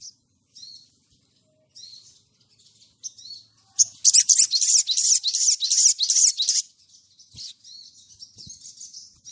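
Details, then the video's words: Spiderhunter used as a lure to call rivals: scattered thin, high chips, then a harsh, rapid, strident chattering burst of about three seconds before returning to sparse chips. "SOGON GACOR NGLEPER MEMANGGIL LAWAN"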